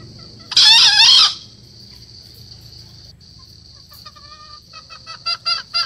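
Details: Green junglefowl at four months old: one coarse, buzzy crow early on, then quiet, followed by a quickening series of short clipped notes at the end. A steady high hum continues throughout.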